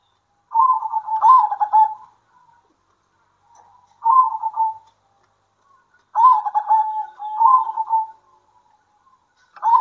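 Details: Local zebra doves calling to each other in the midday heat: rippling, stuttered coo phrases, each tailing into a sustained tone, repeated roughly every two seconds with brief silences between.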